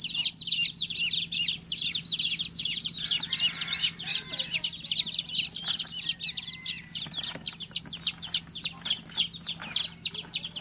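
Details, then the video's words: Newborn chicken chick chirping steadily, roughly three to four high, slurred peeps per second, growing more evenly spaced in the second half, over a faint background hum. "Cutest baby chick chirping sound"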